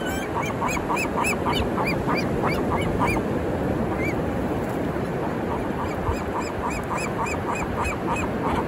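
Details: Squawking, squealing seagulls at Black's Beach in La Jolla, San Diego, California, on an afternoon in May 2023, iPhone recording: rapid short arched notes repeating almost nonstop, several birds overlapping, under a constant wash of breaking surf.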